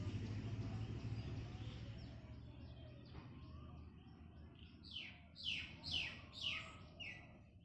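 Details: Parrot calling: after about five seconds of low rumbling background noise, four or five loud, harsh, downward-sweeping screechy notes come in quick succession near the end.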